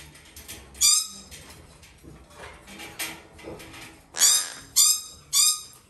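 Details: A captive-bred, hand-raised young female Red-shouldered macaw of weak constitution gives harsh, raspy screeches: one loud squawk, softer chatter, then three quick screeches about half a second apart.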